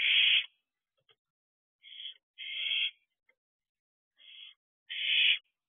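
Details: Two 10-week-old barn owl owlets together at their nest box at 2:15 am on 15 June 2023, growing independent: five harsh, breathy hissing screeches of uneven length, some long, some clipped, separated by silent gaps.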